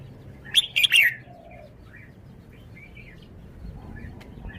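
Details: Caged red-whiskered bulbul showing off its song phrasing: one loud burst of bright, warbled whistled notes around the half-second mark, followed by faint scattered chirps over a low background hum.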